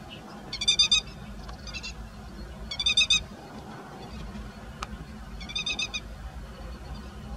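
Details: In a rice field on 16 May 2017, a grey-headed lapwing parent with chicks gives three strident bursts of rapid, rasping notes separated by pauses, with a faint click and low steady rumble behind; recorded using a Nikon COOLPIX P900.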